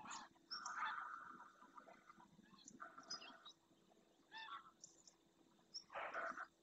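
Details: Greylag geese calling in flight as a numerous flock returns to a lagoon at first light in the Doñana marshes, Spain, where the species winters; loud, harsh honking in clustered bursts, several birds overlapping, with quieter calls between.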